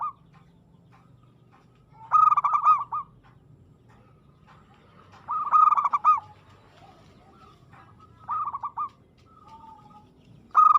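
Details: Local zebra dove (perkutut) singing aggressively, loud rippling coo bursts spaced a few seconds apart with softer phrases between, in a quiet setting.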